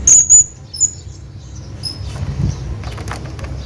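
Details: A hanging parrot, calling to a companion, gives a few very high, thin, squeaky notes in quick succession, then one or two fainter ones, over a quiet background.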